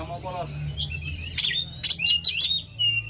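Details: Oriental magpie-robin song played to stimulate a captive bird to sing: varied sweeping whistles and sharp chattering bursts, with a steady low electrical hum and faint voice-like sounds at the start.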